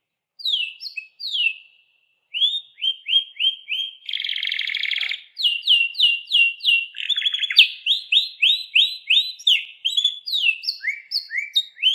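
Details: Canary in full song, a pet songbird: varied tours of swept whistles, a dense buzzy burst, then long series of repeated downslurred notes delivered about three per second.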